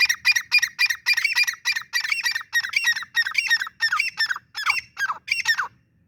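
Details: Francolin (teetar) giving a rapid run of harsh, squeaky squawking notes, about four per second, each bending up and down in pitch, the series lasting over five seconds before stopping.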